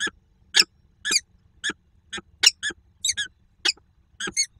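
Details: Female peregrine falcon at a nest site at the ENGIE plant in Słupsk, Poland, on 2 June 2022, giving quacking calls during a nearly silent meeting: short harsh broadband notes repeated about twice a second, some doubled, over faint low hum.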